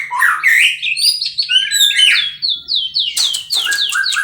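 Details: White-rumped shama from captive breeding delivering rapid, high whistled phrases with sharp downslurred notes and quick chirps packed closely together.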